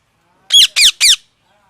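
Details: Parrot giving three quick, harsh, grating squawks in close succession, each one dropping in pitch.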